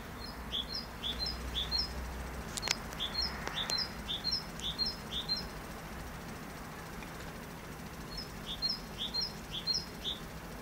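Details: Song of a great tit: a run of ringing two-syllable phrases, a few seconds of quiet with faint clicks, then another burst of the same repeated phrase.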